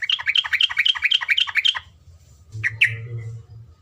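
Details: Yellow-vented bulbul singing a tutor song of the long-trill style: a quick series of about ten bright, bouncing two-part notes, then a pause and two sharp rising call notes over low hum.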